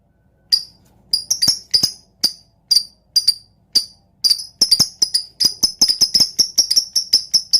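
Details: Lovebird song used to provoke other lovebirds into singing, a dense 'ngetik' typing style with tight gaps; sharp, very high, ticking chirps, sparse at first, then fast and near-continuous.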